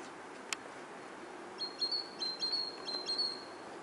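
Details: Autumn song of a great tit, starting after a sharp click: a run of high, even two-part whistled phrases, short lead note then level tone, repeated in quick succession.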